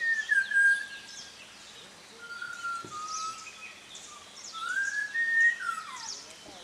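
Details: Early-morning whistling from an unknown bird at a small hotel in Munnar, India: long pure notes that slide down, hold level, then rise and fall in a swooping phrase, with a soft steady hum in the background.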